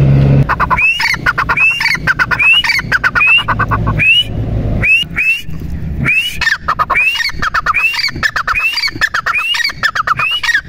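A partridge calls in loud, harsh, rising notes, given in rapid repeated phrases about once a second, with a low rumble of background noise.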